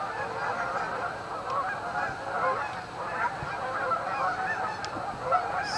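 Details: About six seconds of constant honking from a large flock of Canada geese staging on Amber Trails Lake in Winnipeg, calls blending into a steady, raucous chorus.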